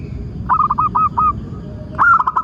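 Zebra dove song: a soft, staccato cooing run of short mid-pitched notes, then a second brighter burst of rapid coos after a brief pause.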